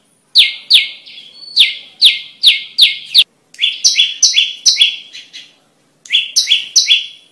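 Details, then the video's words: Olive-backed prinia (prenjak lumut) sings loud, high, sharply down-slurred chips, about three each second, in bursts separated by brief pauses; no other sounds stand out. "Suara MP3 Burung Prenjak Lumut"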